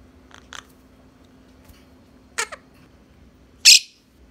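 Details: Young pet Quaker parrots, two of them, bouncing and biting each other in play in a room, iPhone 7 Plus recording: a few soft chirps, then two sharp scratchy squawks and one loud shrill screech.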